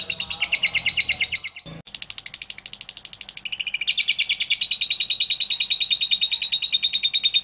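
A lovebird sings a fast, shrill chatter of high squeaky notes, several per second, breaking off briefly before a long run of rapid trilling with a thin whistle.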